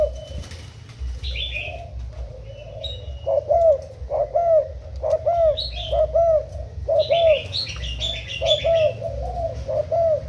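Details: Spotted dove decoy, Thai bird, úp-style cooing recorded 10 April 2018: soft coos grow into a loud, rapid series of low hooked notes, while several higher chirps call over the top.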